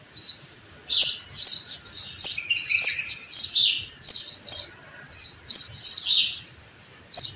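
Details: Sparrows in spring among flowering orange trees on a farm or garden, chirping busily: short bright notes in quick bursts about twice a second, with a few lower chattering notes in between.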